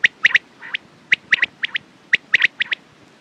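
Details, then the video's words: Rapid series of quail phrases: bright, clipped notes in groups of three, a lone note followed by a fast pair, with softer trailing notes and one short, fuzzy call between them. "Quails sound best sounds use morning and night time mast awaz saaf awaz"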